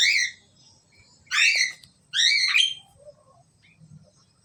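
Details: Asian pied starling pair: three loud, raspy, harmonic calls, the last two longer and dropping in pitch, with brief soft clicks between.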